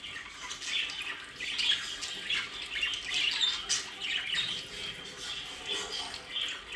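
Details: A flock of pet budgerigars in their play area, South Holland, Netherlands, keeps up a continuous squeaky warbling with overlapping chirps and short whistled notes.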